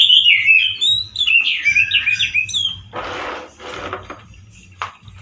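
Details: Male orange-headed thrush, kept caged, singing loudly and harshly like a wild bird: a rapid warbled phrase of slurred whistles, followed by scraping, rustling noises.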